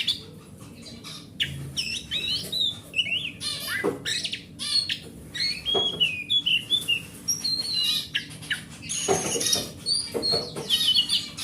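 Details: Wild oriental magpie-robin, heard as lure song for a magpie-robin that is not singing: varied whistles, short slurred notes and scratchy bursts, delivered in uneven phrases over a quiet background.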